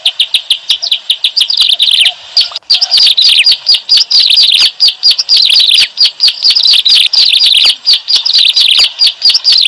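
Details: Lure recording for trapping bar-winged prinias, with strident chirps repeated rapidly in steady waves. A short dip near the third second interrupts the otherwise continuous high chatter.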